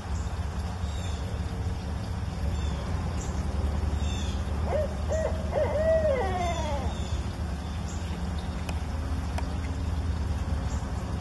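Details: A four-month-old juvenile barred owl calls back seconds after its parent called from a tree, a short burst of deep, wavering hoots ending in a drawn-out falling note, over a steady low rumble and faint high chirps; front yard.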